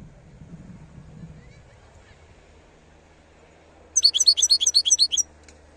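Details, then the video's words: Wild European goldfinch singing: after about four seconds of quiet low rumble, a single quick burst of high, tinkling, twittering notes, roughly a dozen rapid chirps packed into just over a second. "صوت الحسون البري (خلوي) chont chardonneret"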